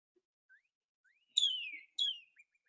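Northern Cardinal song: a few faint soft notes, then two loud, clear whistles sliding downward, about half a second apart. Nothing else is heard.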